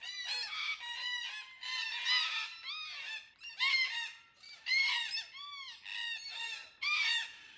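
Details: A couple of red-tailed black cockatoos, heard but barely seen, near Jarrahdale, Western Australia, give harsh, grating, rolling screeches in overlapping bursts about every second.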